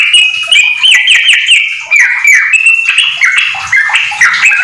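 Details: ['Nonstop rapid song from a domestic yellow-vented bulbul with white-rumped shama phrases, recorded as a tutor for other bulbuls; bright whistled notes in quick repeated bursts and drooping slurs.']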